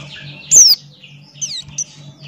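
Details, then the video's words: Buxton's white-eye giving a loud, sharp down-slurred whistle followed after a pause by two softer descending notes, with a constant low hum in the background. "Burung Pleci Buxtoni Gacor Ngalas Buka Paruh"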